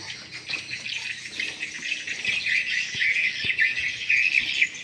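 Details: Swiftlets, a recording offered as a lure for new or poorly productive swiftlet houses: dense, continuous high twittering and chattering from many birds, buzzy overlapping chirps forming an unbroken shimmering chorus with slight swells in loudness.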